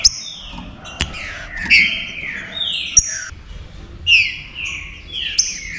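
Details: Green-winged saltator (trinca-ferro) song used to warm up and excite other saltators, styles named picharro, estevo, pantaneiro; loud descending whistled phrases overlapping, with sharp bright notes and scattered clicks, several phrases in six seconds.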